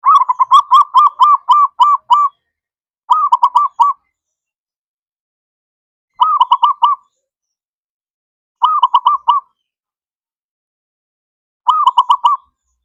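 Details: Zebra dove singing, a recording meant to prompt mute or lazy doves to sing: a long rapid string of bubbling cooed notes, then short bursts of four to six quick coos repeated every two to three seconds, clean and loud.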